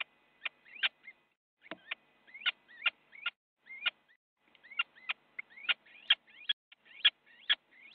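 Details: Squabbling little owls in a Dutch nest box, captured by a live cam on a January 2017 morning as one bites another; rapid rising squeals and hard clicking snaps, uneven and growing denser toward the end.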